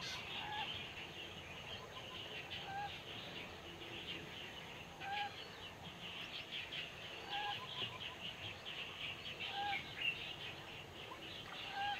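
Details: Eurasian coot, an uncommon winter visitor in Taiwan, recorded at Pingtung biotech park, giving short, abrupt mid-pitched notes about every two seconds over a dense, high chatter of many other birds.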